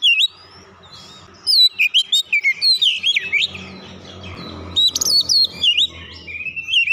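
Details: Oriental magpie-robin delivering song laced with Java sparrow imitation, fast sequences of sharp chirps and slurred whistles in two main bursts, faint low hum beneath.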